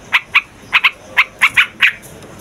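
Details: A trucukan, the yellow-vented bulbul, recorded as a lure for wild birds: eight sharp, scattered chirps, some in quick pairs, over a quiet background.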